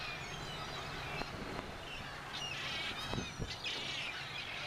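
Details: Large flock of seagulls at Malaga Port, Spain: scattered short, nasal calls rise above a steady wash of harbour noise and low rumble, with a few louder cries clustered near the middle and end.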